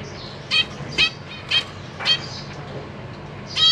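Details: Zebra finch family in a cage, parents busy feeding three juveniles and three recently hatched young, April 2023: short nasal beeping calls with stacked harmonics, roughly one every half second, then a pause before a final call.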